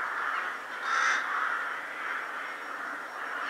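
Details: Winter rook flock assembling at a Vienna cemetery just before dusk; a dense, blurred wall of overlapping caws with one brief louder harsh call rising above the crowd.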